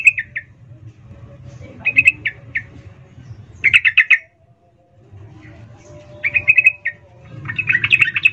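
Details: Female sooty-headed bulbul calls the male with short groups of quick chirps broken by pauses, steady low background hum between bursts.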